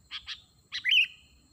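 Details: Calls of a sooty-headed bulbul used for luring wild birds: two quick bright chirps followed by a brief liquid whistled phrase that rises then levels off.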